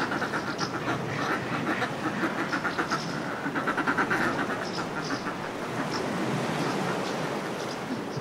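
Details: Northern fulmars displaying on cliff ledges: short runs of rapid cackling rise in the middle over constant sea wash, while house martins give high, scattered chirps nearby.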